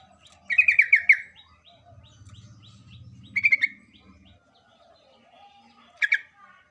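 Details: Sooty-headed bulbul singing lively as a lure for reluctant birds: three short bursts of rapid, bubbling warbled notes, the first longest, separated by pauses with a low hum in between.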